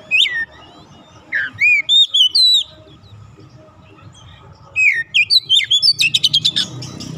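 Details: Untrained 'bahan' oriental magpie-robin joining in 'gacor' song with clear, curling whistled notes that rise and fall, a quiet gap, then more whistles ending in a fast rattle of high chips.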